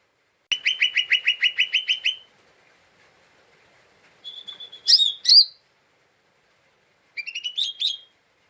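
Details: Agitated lesser green leafbird chattering in 'ngeriwik' style to provoke other birds: a fast burst of about ten harsh notes, a pause, loud rising whistles, then a shorter chatter.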